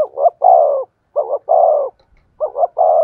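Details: Three deep, rolling coo phrases from a decoy spotted dove in the 'thổ' voice style, each a quick warbled double note running into a longer sustained coo, about one second apart.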